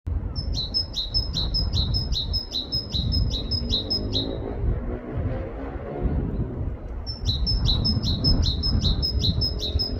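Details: Great tit singing in a UK forest: a fast two-note phrase, high note then lower, repeated about ten times, a pause, then a second run of the same see-saw phrases. Low rumbling background noise throughout.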